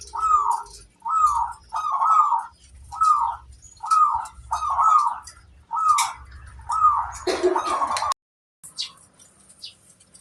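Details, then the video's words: Lure song of a local zebra dove for drawing other doves: short bubbling coo phrases repeated about once a second, with a low rumbling hum beneath and a brief cut near the end. "Suara burung perkutut lokal paling ampuh untuk pancingan"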